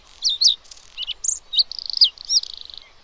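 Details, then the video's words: A Bluethroat sings varied, high-pitched phrases: quick chirps, sharp ringing notes and dry rattling trills run together in a fast, scratchy medley. "Bluethroat Call | Bluethroat Sound"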